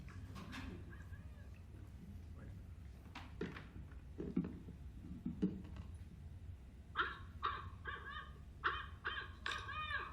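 A Barred Owl gives a series of loud, barking hoots in quick bursts, the 'who cooks for you' call, after room chatter and laughter.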